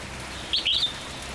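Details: Red-whiskered bulbul giving a short, bright chirped phrase of two or three quick, high notes lasting about half a second, over a steady background hiss.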